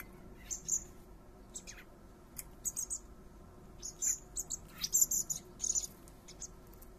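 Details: Common blackbird fledglings, three young being fed by their father in a garden, give thin, very high-pitched begging notes in short bursts of rapid squeaky calls, clustered around four and five seconds, over a low steady background hum.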